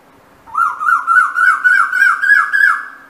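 Asian koel giving a quick run of about eight slurred, whistled notes, each rising then dropping, the series climbing steadily in pitch; no other sounds stand out.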